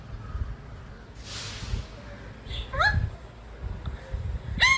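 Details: Rose-ringed parakeet recorded from a terrace in Sahakarnagar, Pune, giving a few harsh, rising squawks, two close together then one more near the end, over low background rumble and a brief hiss.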